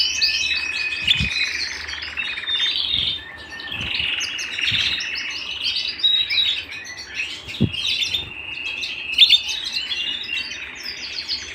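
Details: Home canary in full song: a varied flow of warbled phrases, fast rattling trills and short chirps, with a few soft knocks in the background.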